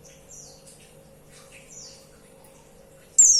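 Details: Female white-eye calling a male: soft, high, slurred-down chirps at intervals of about one and a half seconds, capped by a loud, sudden, thin squeaky note at the end.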